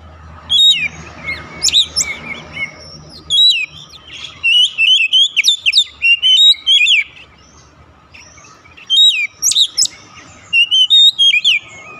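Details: Oriental magpie-robin singing, a recording meant to coax a non-singing bird into song; rich varied phrases of whistles and sharp chips in bursts, a brief pause midway, then more loud whistled phrases.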